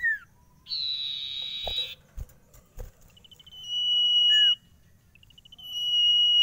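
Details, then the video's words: Sirtu song with a buzzy high burst, a brief downward whistle, then long even trills of quick repeated notes; a few dull knocks are heard between phrases. "SIRTU GACOR ANTI STRES !! FULL VARIASI SUARA CIPOW GACOR DOR"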